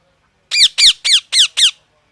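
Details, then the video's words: Five loud, rasping parrot squawks in a steady rapid series, each call sweeping from high to lower pitch. "Parrot Chirping Sounds"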